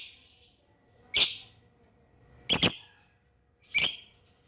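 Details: Juvenile lovebird practising its ngekek, played as a lure for other lovebirds: three sharp, shrill, high squeaky bursts about every 1.3 seconds, with near-silence between them.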